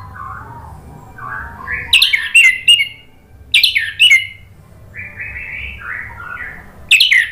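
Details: Orange-headed thrush in lively 'gacor' song with 'ngeplong' character, meant to prompt a silent bird: soft, low warbled phrases alternate with sudden bursts of sharp, high chirps and squeaky slurs, repeated about every two seconds.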